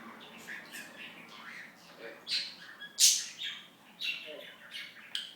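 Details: Talking budgerigar at home produces a soft, rapid run of warbled speech-like sounds, then one loud sharp squeak and further scratchy chirps.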